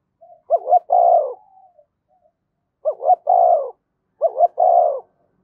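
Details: Spotted dove with urging coos aimed at provoking other doves: three regular phrases, each a fast double note followed by a long, rough, slightly falling coo.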